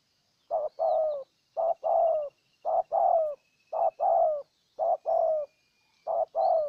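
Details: In Ninh Thuận, Vietnam, a decoy spotted dove coos steadily to lure a wild bird: six evenly spaced pairs of deep coos, a short note then a longer falling note, with a faint thin trill and other birds in the distance.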